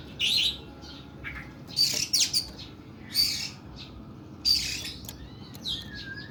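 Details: Oriental magpie-robin singing harsh, long bursts: loud raspy high squeaks in clusters separated by short pauses, closing with a soft falling whistle.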